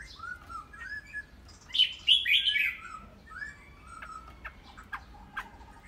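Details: Chinese hwamei (Garrulax canorus), a captive bird, sings a varied run of clear slurred whistles, swelling into a loud, rich warbled burst, then softer rising notes and sharp chips.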